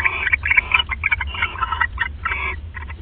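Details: Owls bonding at the nest at 1:26 AM on 29 December 2014, giving rapid, raspy chittering calls in dense, uneven bursts over about three seconds, with a low steady hum underneath.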